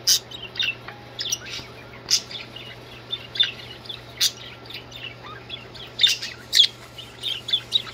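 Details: Several budgerigars singing: busy high chirps, clicks and short squeaky notes scattered throughout, with sharper bursts near the start and end over a steady low hum.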